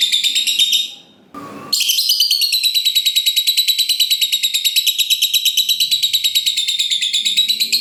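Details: Lovebird in the long ngekek panjang chattering style, a fighter-type bird used to stir other lovebirds into singing: a long run of rapid, shrill, buzzy repeated notes about three per second, broken once by a brief burst of noise.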